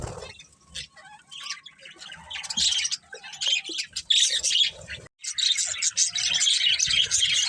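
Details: Pet budgies chatter with rapid scratchy chirps and squawks, building into a dense, continuous burst of twittering after a short pause, several birds calling at once.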